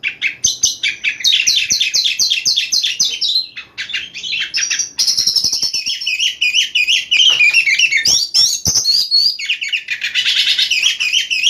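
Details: Oriental magpie-robin singing at night: loud, rich and varied song of rapid repeated chirps, sweet whistled phrases and scratchy trills, continuous with brief pauses, high-pitched throughout.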